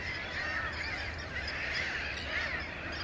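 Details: Mediterranean gulls in a breeding colony at Sol de Loire, Montjean-sur-Loire, Maine-et-Loire, 12 May 2013, shared with black-headed gulls and common terns; soft arched nasal calls rising then falling, several in three seconds, over steady colony hubbub.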